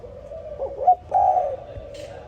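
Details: Spotted dove heard in the morning, giving low, mellow cooing notes that swell into one louder drawn-out coo, over quiet background hum.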